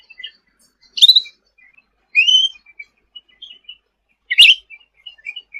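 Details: Sooty-headed bulbul singing busily, for tutoring songbirds: three loud chirped phrases about a second apart, with a sharp click at the start of two of them and soft twitters between.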